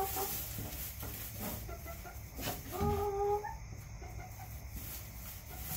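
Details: Backyard hens give scattered soft clucks, then one longer, clear, slightly rising harmonic call in the middle, followed by a few faint notes over a constant low rumble and brief rustles.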